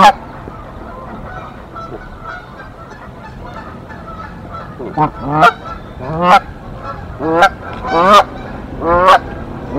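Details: Nest defence by a Canada goose pair against an intruding goose in Decorah, 1 April 2024. Quiet background gives way after five seconds to a run of sharp rising honks about once a second.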